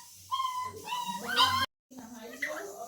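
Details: Talking pet parrot giving a run of speech-like, tonal syllables with rising inflection, cut by a short silence, then softer chatter-like sounds.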